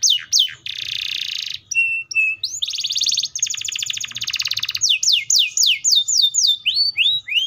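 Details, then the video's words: Loud, varied canary song: sharp rising chirps, a dense buzzy trill, short whistled notes, then long rapid trills and a run of quick upward-sweeping whistles repeated several times a second. "THE VOICE OF THE CANARIA SERINUS"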